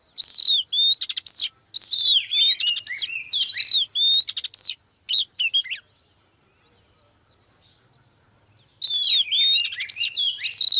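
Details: A hen Oriental magpie-robin sings to prompt a male to sing. Rich bursts of sweeping whistles and rapid clicking trills are followed by a quiet gap of several seconds, then the song returns.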